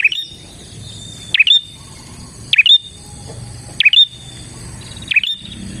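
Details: Bar-winged prinia song for luring prinias: sharp swooping chirps with a high whistled end, repeated at a steady pace of roughly one every 1.2 seconds against a quiet hissy background.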